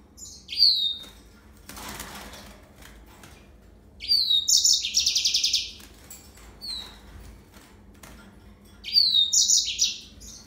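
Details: Yellow-fronted canary giving short, separated bursts of high song: sliding whistled notes, then a dense buzzy trill, with quiet gaps of a couple of seconds between phrases.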